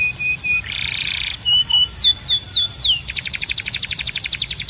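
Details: Canary training song meant to teach young birds: short flat whistles and a harsh buzzy burst, then a run of sharply falling whistled sweeps leading into a rapid, even, metallic trill of about four notes per second.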